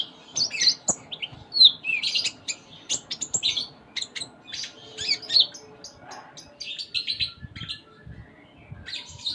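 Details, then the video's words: Konin (kolibri ninja) singing gacor full isian, a busy song packed with varied notes: rapid high chirps, short whistles and buzzy fragments follow each other with little pause. "Konin Gacor Full Isian"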